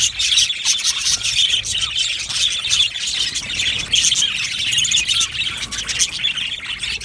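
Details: Australian budgerigars chattering together in an aviary: continuous high, scratchy warbling and chirping from many birds, fairly even in loudness throughout.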